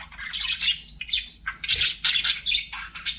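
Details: Pet budgerigars chirping in a steady, busy stream of high, twittering notes and short warbles with no pauses.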